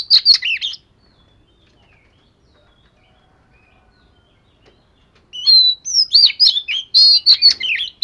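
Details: Oriental magpie-robin of the 'vẩy cá' type during daily voice training: a short whistled burst, a pause of several seconds, then a rapid run of sweet, varied whistles and sharp chirps in high pitch.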